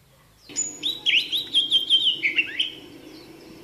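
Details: Oriental magpie-robin at a trapping site, singing a rich phrase of warbled and whistled notes that rise and fall together for about two seconds, over a low steady background hum.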